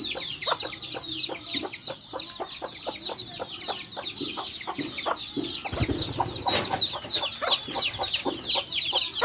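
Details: Many chicks with backyard hens, a rapid flurry of high, falling peeps over quick, irregular hen clucks, plus a brief rustling knock around the middle.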